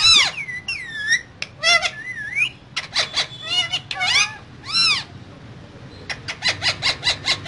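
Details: Two green parrots talking in a cage: loud, varied arched squawks and wavering whistles pour out for five seconds, then a quick series of even, rhythmic raspy notes.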